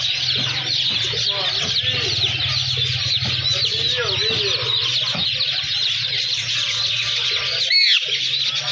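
Ringneck parakeets chatter nonstop in dense, shrill, overlapping squeaks and screeches, with a low steady hum beneath and a brief bump near the end.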